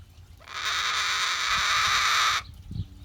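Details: One steady, coarse screech of about two seconds from a captive cockatoo at rest, followed by a few soft knocks and rustles.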